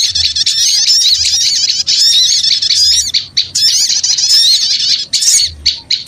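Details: Lure sound of noisy small birds for attracting small birds, a loud unbroken tangle of shrill squawking chirps and rapid twittering notes, with only short gaps near the end.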